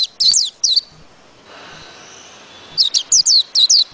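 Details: High, sweet twittering from a white-eye. Two quick bursts of slurred chirps open the clip, a silent stretch follows, then a lively run of rapid, thin notes.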